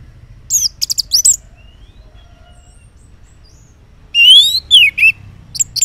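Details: Orange-headed thrush morning song, used as a lure for males that stay silent: a burst of sharp high chirps, a long quiet pause, then loud sweeping whistles and rapid trilled notes.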